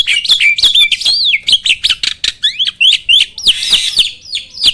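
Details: Starling song used to provoke other birds to sing: a fast string of sharp, slurred whistles, many falling in pitch, repeated several times a second, with a brief raspy burst near the end.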